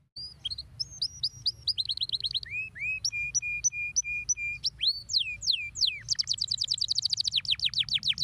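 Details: Stimulating canary song with varied phrases: rapid high trills, a series of even repeated whistled notes, several steep falling sweeps, then a long dense rolling trill; quiet low hum behind.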